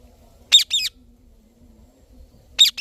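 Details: A rose-ringed parakeet (Indian ringneck) gives three harsh, raspy squawks: two close together, then one more two seconds later, over a faint low hum.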